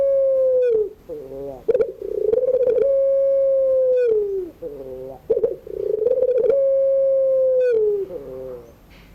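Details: Barbary dove, pelung type, singing its evening crying song for young birds learning to sing. Long level coos alternate with short rolling, stuttered phrases, repeating about every three seconds.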